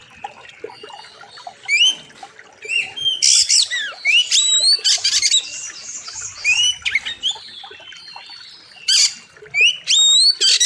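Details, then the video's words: Master-recording song of an oriental magpie-robin for training birds: dense, varied whistles and harsh buzzy bursts, with rising and falling sweeps strung into long, busy phrases, and faint water in the background. "Masteran Kacer Gacor Tajam Full Isian"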